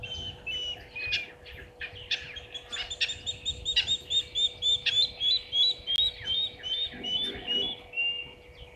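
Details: Spurfowl calling from the dam wall at Gowrie dam, Djuma Game Reserve, Sabi Sand Wildtuin, South Africa, at 16:19 on 16 September 2023. A loud, rhythmic run of shrill notes swells, speeds up, then fades, over scattered chatter.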